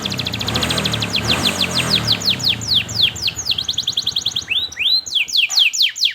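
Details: Canary training song for juveniles learning to sing: rapid repeated descending chirps and arched whistled notes, with a low rumbling background in the first half.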